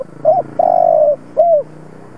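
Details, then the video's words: Decoy spotted dove calling to prompt other doves to coo, a single phrase: a short hooked note, a long sustained mid-pitched coo, then a brief falling final note. "Cu gáy mồi siêu kích bổi, giọng hay kích là gáy hiệu quả 100%. Tiếng chim cu gáy kích bổi"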